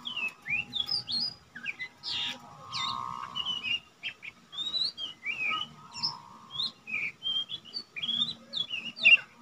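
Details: Lesser green leafbird kept as a young untrained cage bird, singing steadily as tutor material: quieter bursts of bright upslurred whistles and chips in uneven groups, with soft background hum and low murmurs.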